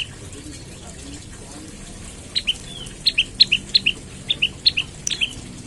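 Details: Morning lure call of an olive-backed tailorbird to make other birds of its kind sing: quiet start, then a quick run of crisp two-note chirps, high then lower, about three per second.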